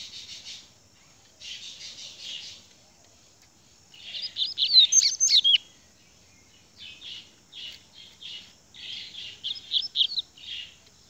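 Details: Rusty-collared seedeater in grego song. Buzzy chattering phrases are separated by pauses. The middle holds a loud flurry of sliding whistles and sharp downward notes, and a final jumble of chips and whistles follows.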